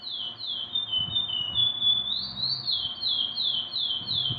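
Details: Chestnut-bellied seed finch (curió) singing a continuous string of clear whistled notes, each sliding downward, in steady waves that rise higher after the midpoint; faint low rumbling underneath.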